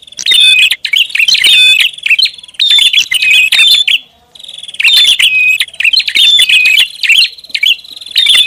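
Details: Prinia lure call in two long noisy runs separated by a short pause, packed with sharp high chirps, ticks and thin whistles, loud and hurried.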